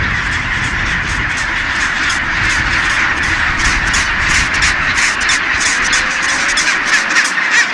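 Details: Thousands of chinstrap penguins calling together in a huge breeding colony at Bailey Head, Deception Island, South Shetland Islands, Antarctica; a dense, continuous braying roar with harsh overlapping squawks and brief sharper bursts standing out from the din.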